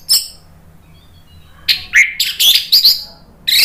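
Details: Orange-headed thrush in a lure recording to provoke singing: a high note, a pause, then a rapid tumbling run of loud whistles and sharp chirps with slurred rising notes.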